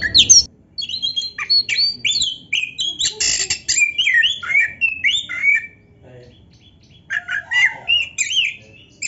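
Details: Rich, varied kacer song: an Oriental magpie-robin pours out rising and falling whistles, slurred notes and a harsh burst, with a brief gap before more sweet phrases; used to stimulate other magpie-robins to answer.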